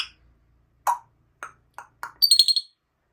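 An African grey parrot gives four short, clipped vocal syllables, then a quick run of five high, squeaky chirps; nothing else is heard.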